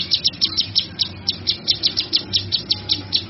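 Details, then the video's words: Steady series of high, sharp chirps from a male kinoy used for training other birds, roughly four to five notes per second, fairly regular and unbroken throughout. "Suara Burung Kinoy Jantan"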